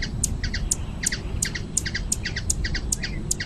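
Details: Hummingbird in Brazilian nature giving short, sharp high chirps, singly and in quick pairs, about two or three per second, over a steady low rumble.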